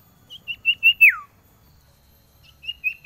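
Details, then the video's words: Male common iora (cipoh) calling a female in the cold season: a few short, clear whistled notes on one pitch, then a longer note sliding steeply downward, and two more short whistles after a pause; quiet low rumble underneath. "SUARA CIPOH CIPOW JANTAN PANGGIL BETINA"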